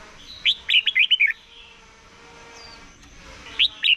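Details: Morning competition song of a red-whiskered bulbul being voice-trained: a bubbly phrase of five rapid, slurred whistles, a pause of about two seconds, then a new phrase starting at the end.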